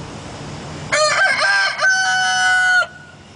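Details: A big old rooster at a feed mill crowing one long drawn-out cock-a-doodle-doo in two loud, harsh parts, the last note held steady before cutting off, over faint background hum.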